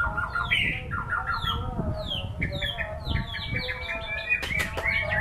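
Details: White-rumped shama singing in a songbird performance, a string of short, clear downslurred whistles repeated in quick series, ending with sharp clicking notes near the close, over low background noise.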